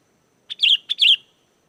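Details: Lure recording of a sooty-headed bulbul singing to make wild birds respond: a pair of crisp, bubbly whistled phrases, each opening with a clipped note, in a quiet background.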